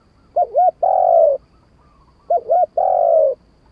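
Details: Spotted dove song: two identical phrases, each a pair of quick low wavering coos followed by a longer steady hooting coo, repeated about two seconds apart, with a quiet background.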